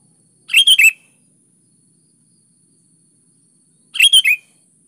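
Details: Energetic 'gacor' song of a sooty-headed bulbul, played as a lure for reluctant birds: a quick three-note bubbling phrase, repeated after roughly three and a half seconds, with silence between.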